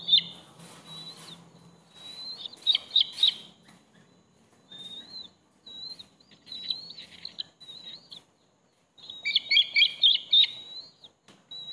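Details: Bald eagle calls at a nest as the eldest eaglet violently attacks the third, younger sibling: repeated clusters of high, piercing chirps, some drawn-out whistled notes in between, then a final rapid chittering burst before quieter single peeps.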